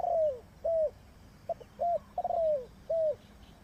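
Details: Spotted dove serving as a decoy for bird trapping calls in a steady sequence of soft, low coos. A long trilled note sliding downward sits between short rounded notes.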